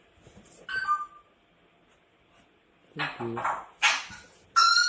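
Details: Screaming pet grey parrot: a harsh, slightly tonal shriek early on, then after a quiet pause a cluster of loud raspy cries and a final sharp, whistled scream, indoors.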